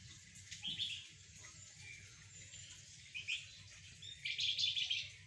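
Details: Golden-bellied gerygone, sunned with spotted doves and zebra doves, sings quietly at first with scattered high chirps, then gives a louder buzzy trill in the last second, against a steady low hum.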